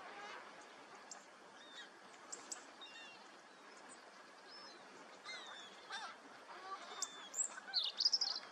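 Eurasian teal giving short, high whistled 'krick' notes, many overlapping and rising to a busier burst at the end, over a steady background hiss.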